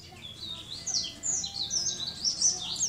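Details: Sunda white-eye singing as a master for training other birds: a thin, high warbling run of sliding notes over a steady background hiss.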